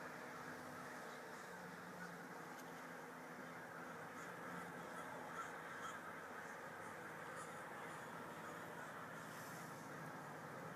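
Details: A swarm of crows descending on a local mall, giving a dense, continuous chorus of harsh overlapping caws with no pauses, over a steady wash of background noise.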